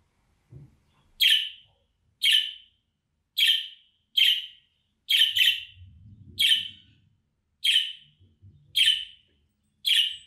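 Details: Budgerigar calling sound, played to lure an escaped pet bird back home: harsh, buzzy chirps repeated about once a second, each a short rasping burst with a brief trailing tail, with faint low rumbling between some calls.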